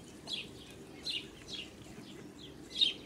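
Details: Blue Muscovy duck with her ducklings on a farm on 8 July 2017; thin, high duckling peeps in four short bursts over three seconds against a faint steady hiss.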